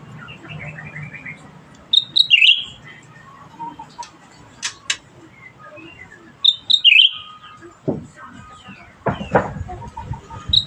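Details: Bulbul singing actively: two bright whistled phrases that start high, dip and wobble, about four seconds apart, with scattered softer chirps, sharp clicks and a low background hum.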